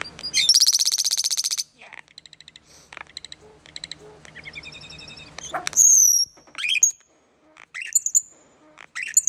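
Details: Common starling giving a long song: a loud buzzy rattle, a sequence of quick clicking and ticking notes, a harsh rasping passage, then sharp high whistles and squeaky chattering phrases.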